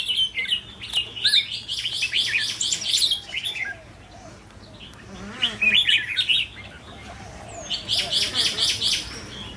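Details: Red-whiskered bulbul (Pycnonotus jocosus) song: bright, rapid bursts of warbled, chattering notes, high and busy, in runs every few seconds, several birds overlapping; two caged decoy birds brought from Mê Linh for trial, chasing and competing.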